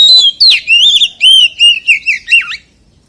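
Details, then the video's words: A white-rumped shama sings in the wild-voice style, giving a rapid series of about eight loud, warbled whistles that swoop up and down, ending in a dipping note before falling silent. "CHÒE THAN HÓT GIỌNG RỪNG SIÊU HAY"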